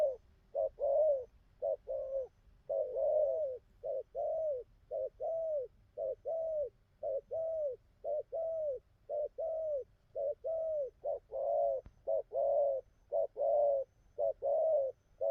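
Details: Spotted dove, a wild-caught bird newly singing its song pattern, keeping up a long, steady series of low paired coos, a clipped note then a fuller falling one, over fifteen seconds.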